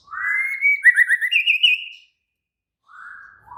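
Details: White-rumped shama, agitated and excited, sings a rising whistled phrase breaking into a fast pulsed trill, then after a pause a lower soft whistle.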